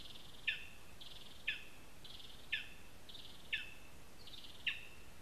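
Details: Five evenly spaced high yelps, one every second, from a lesser spotted eagle at its nest in a spruce in Zemgale, Latvia, recorded by a live nest camera; each note has a buzzy trailing band, steady low hiss.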